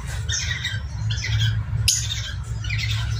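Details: Parrotlet during mating, with sounds meant to stimulate breeding readiness, giving harsh, chattering squawks in uneven bursts over about three seconds, with a steady low hum and a sharp click partway through.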